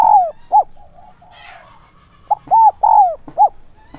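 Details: Decoy spotted dove giving 'thúc' and 'gáy gọi' calls in a 'son' voice to bring wild doves in. Ringing arched coos and long falling notes in quick succession, with a brief soft rustle midway.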